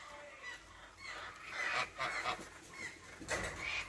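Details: Laughing kookaburra; begging call; young begging and attempting to laugh while being fed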